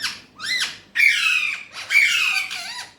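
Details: Urdu/Hindi-speaking Alexandrine parakeet voicing a squeaky sliding note, then two strong, sustained raspy phrases with a wavering tone trailing off at the end.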